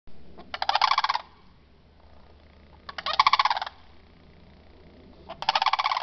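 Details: Two sandhill cranes calling in the early morning give three loud, rolling, trumpeting rattles, each about half a second long and spaced roughly two and a half seconds apart, over a low steady hum.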